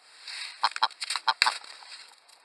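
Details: A Northern Hemisphere willow ptarmigan gives its laughing, crazy-chicken cackle: about eight quick, coarse, rattling notes in under a second over a steady background hiss.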